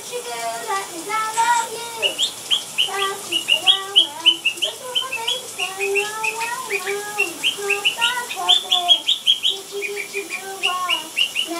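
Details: A pet blue Quaker (monk) parakeet whistles the Gitchi Gitchi Goo song from Phineas & Ferb in clear, rising and falling notes mixed with bright chirps.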